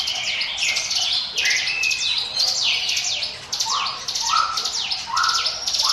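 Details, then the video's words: Mountain prinia (ciblek gunung) 'ngiwit wit' song, used as a lure: bursts of rapid, high arched chirps, with a descending series of lower slurred notes near the end. "NGIWIT WIT SUARA CIBLEK GUNUNG SIAP JADIKAN PANCINGAN MU"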